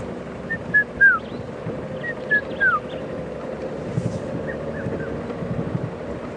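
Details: Morning safari drive at Djuma and Arathusa, South Africa, 4 December 2014, on a quiet bush morning: Red-chested Cuckoo giving three descending whistled notes, repeated three times about every two seconds, fading on the last, over low engine and wind rumble.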